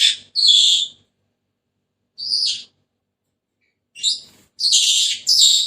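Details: Senegal parrot squawking with harsh, scratchy notes: a few at the start, a lone call after a pause, then a quick cluster of loud rasping screeches at the end.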